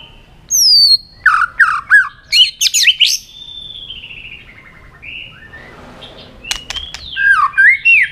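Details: White-rumped shama singing competitively with many voices: descending whistles, rapid chips and sweeping slurred notes, a brief rasping passage midway, then more downward-slurred whistles.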